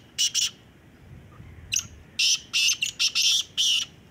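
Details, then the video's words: Black francolin at a calling competition: rapid series of loud, scratchy, grating notes delivered in quick clusters. "kala teetar ki awaz ka muqabala"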